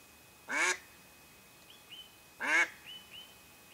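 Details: Mallard hen lure on a duck hunt producing two loud, rasping quacks two seconds apart, separated and followed by short, thin whistled notes of other birds.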